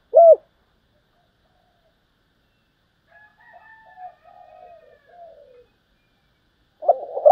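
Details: Spotted dove decoy bird giving 'thúc gù' cooing in the 'thổ đồng' voice: a brief loud arched coo, a long quiet stretch with faint soft cooing, then another loud burst of coos at the end.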